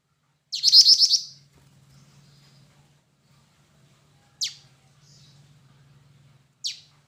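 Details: Black-winged flycatcher-shrike (jingjing batu): a half-second flurry of rapid high chirps, followed after long pauses by two single sharp descending notes; a faint low hum runs underneath.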